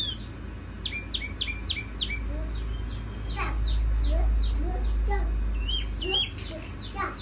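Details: Tiểu mi songbird over a steady low rumble. Its soft song is made of quick downslurred high notes and scattered rising whistles, uneven in spacing.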